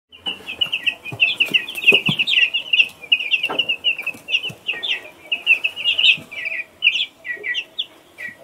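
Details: Baby chick chirping: a steady stream of high, shrill peeps, each slightly falling, tumbling out several per second with brief pauses, plus faint low knocks in the background.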